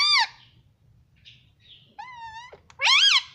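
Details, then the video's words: Pet green ring-necked parrot talking in Hindi, saying "mummy": a curved harmonic syllable, a steady held note, then a loud arched call, over faint low room hum. "parrot Hindi talking || mummy miithhu voice"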